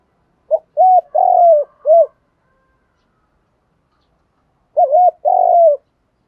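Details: Decoy-training spotted dove coos from cock and hen birds. A clipped note, a bent coo, a long slurred coo and a final short coo, then after a pause the phrase again without the ending note.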